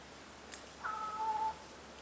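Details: A crow in the treetops at McDonald Beach Park, Richmond, B.C., answers people calling for a lost cat by meowing instead of cawing: a single drawn-out, cat-like mewing call in two falling whistled parts, about two-thirds of a second long.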